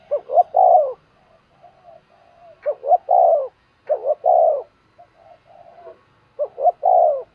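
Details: Decoy spotted dove cooing to draw in wild birds; four phrases of paired short coos followed by a long, rounded, descending note, separated by faint muttered coos, otherwise quiet.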